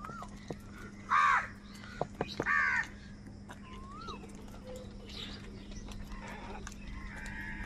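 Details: Angry crows quarrelling over food: two loud, rasping caws close together, then fainter distant caws and a short rising whistle, over a steady low hum.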